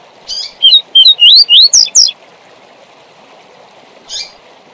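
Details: Double-collared seedeater singing its tui tui zel zel song, played to tutor young birds in the fibra style. About two seconds of fast, clear whistled notes, slurred up and down, against a steady hiss. A short soft rustle follows.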